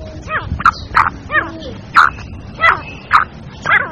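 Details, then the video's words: Female black francolin calling, used to lure francolins quickly and excite them: short harsh grating notes repeated about every half second, with faint thin whistled sounds in the background. "Teetar ko Jaldi bulani aur Masti men lane wali Awaz تیتر کو جلدی بلانے اور مستی میں لانے والی آواز"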